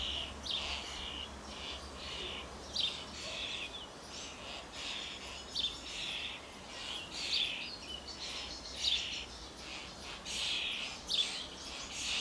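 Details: Common Starling youngster close to fledging, hungry and receiving food, giving rasping, hissing begging calls in irregular bursts about once a second, some louder peaks, over faint low background hum.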